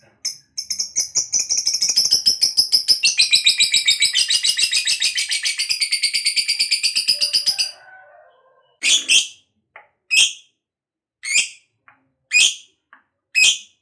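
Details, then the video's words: Lovebird giving a long ngekek trill, used to provoke other lovebirds to sing: about seven seconds of rapid, shrill, chattering notes run together, then separate sharp, high squeaky calls at roughly one-second intervals. "Suara Burung Lovebird Ngekek Panjang, TOP Buat Pancingan Lovebird Agar Cepat NGEKEK"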